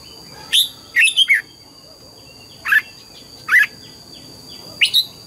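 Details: Morning singing by a red-whiskered bulbul trained for the double-note wild song: a bright note, a fast three-note warbled burst, then spaced single whistles, over a continuous high-pitched whine.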